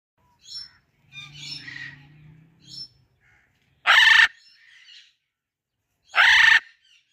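Two loud, harsh, raspy screeches about two seconds apart from a blue-and-yellow macaw, after softer chirps and a low murmur in the background.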